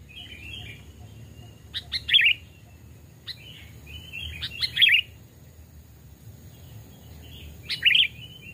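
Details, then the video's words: Captive sooty-headed bulbul decoy in a forest voice test. Thin warbling notes lead into loud bubbly chirped bursts, three phrases spaced a few seconds apart, accompanied by sharp clicking taps. "burung kutilang pikat||tes mental dan suara saat di hutan 2 jenis Burung Kutilang"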